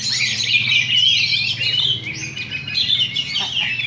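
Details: Two Oriental magpie-robins compete in a singing duel at a Sunday practice contest in Sindanglaut, session two. They pour out rich descending whistles and quick twitters without a break, over a low hum and distant talk.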